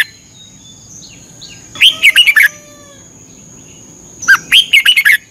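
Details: Red-whiskered bulbul in Thailand, practice song for morning training: two phrases of cheerful, quavering whistles, the first preceded by faint soft chirps.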